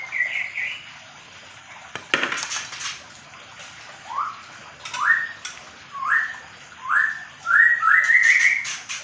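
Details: Medan white-rumped shama in a mini aviary during pairing, repeating short upward-sweeping whistles roughly every second, ending in a longer warbled phrase, with loud broadband rustling bursts in between.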